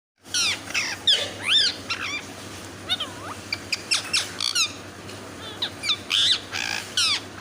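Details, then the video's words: Talking parrot giving a rapid run of loud, high squawks and whistled notes that sweep sharply up and down in pitch, bursts coming roughly every half second, over a faint steady low hum. "Amazing Talking Parrot"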